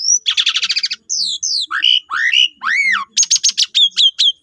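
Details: Asian pied starling song used as a lure to provoke other starlings into singing. It is a rapid, varied sequence of fast chattering trills, clear up-and-down slurred whistles and sharp repeated chirps, loud and close, with no other clear sounds.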